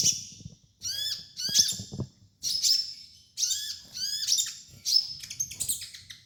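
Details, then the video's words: Sunbird training master song: continuous series of high, sharp downslurred chirps and shrill trilled notes in close bursts with short gaps, over a faint low rumble. "MASTERAN KOLIBRI NINJA DAN TERAPI KONIN BAHAN"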